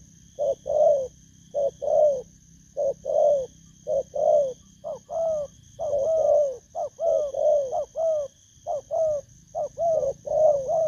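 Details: Spotted dove, a wild-caught bird, recorded 19 August 2024; low hooting coos in short two-part phrases, repeated rapidly and irregularly, with a steady high electronic hum behind.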